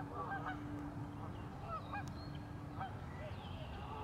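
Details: Geese in Warner Park Lagoon, Madison, Wisconsin, USA, give scattered nasal honks, several overlapping through the clip, over a steady low hum and background rumble.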